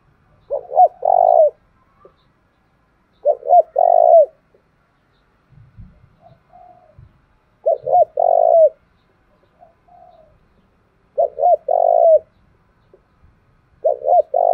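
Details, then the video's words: Spotted dove from Đồng Nai repeating its 'thúc gù' coo, a lure for provoking and training decoys: five phrases roughly every three seconds, each two brief hoots plus a drawn-out coo, with faint soft notes between. "Chim Cu Gáy Đồng Nai Vdeo Mới Nhất, tiếng cu thúc gù hay"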